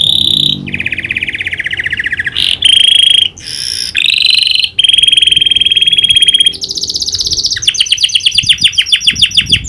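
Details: Canary song carrying imitated prinia clicks: sustained rolling trills at differing pitches, broken by brief bright whistles and buzzy bursts, closing with a rapid run of sharp ticking notes.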